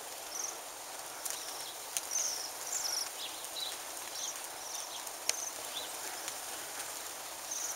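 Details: On Christmas Day 2010, a flock of Bohemian waxwings feeding on a mountain ash gives thin, very high, sibilant trills, short and scattered across several birds. Occasional birds hit a window, heard as faint knocks over soft hiss.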